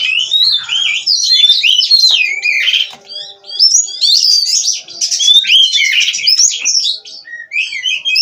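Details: Captive-bred Oriental magpie-robin of the Cirebon line singing vigorously and nonstop: a dense, rapid run of varied whistled slurs, trills and chattering notes, with brief dips between phrases.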